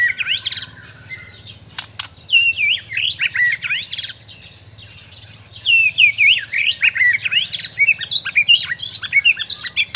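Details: Captive Bornean white-rumped shama, or murai batu, singing a dense, rapid song of looping, up-and-down whistled notes and chirps that tumble over one another, with a brief pause in the middle before a fuller final stretch.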